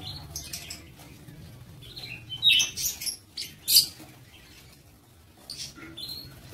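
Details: A brief flurry of high, shrill chirps from breeding-aviary lovebirds, then quieter scattered squeaks, against a faint low hum.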